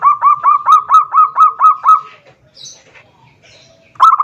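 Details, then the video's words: Calling a rival, a zebra dove delivers a steady run of about nine evenly spaced, upward-flicked cooing notes. A pause with faint chirps follows, then another phrase begins. "suara perkutut memanggil lawan"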